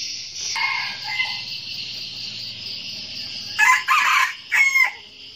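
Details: Red junglefowl decoy cock crowing to provoke wild males: a faint thin note early, then a loud choppy crow of two rough bursts near the end, with constant shrill insects behind.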